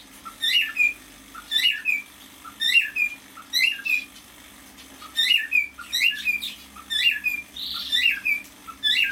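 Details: Home-kept young male cockatiel, half a year old, repeating a whistled motif many times: a quick rising note then a downward slide, evenly spaced about every second, with a brief pause midway.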